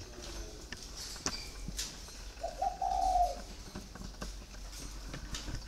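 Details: Single quiet low coo from a spotted dove kept caged four years, a short note followed by a longer tone, surrounded by faint clicks and room noise.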